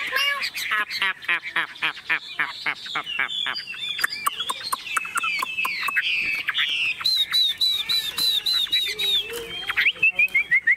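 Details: Chinese hwamei in a hand-carried, shaken cage, unafraid of people, delivers a long rapid stream of staccato clicks and chatters, then high twittering and a closing run of descending whistles.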